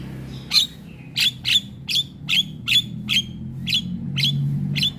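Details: Javan myna (jalak kebo), a gacor masteran for young mynas: sharp squawks with short whistled ends, repeated at uneven intervals of about half a second over a low rumbling background.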